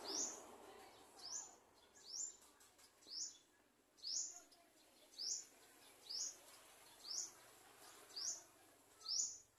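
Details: Olive-backed sunbird bringing food to its young, heard somewhat distantly: ten or so thin, high, upward-flicking chirps spaced about a second apart against a hissy outdoor background.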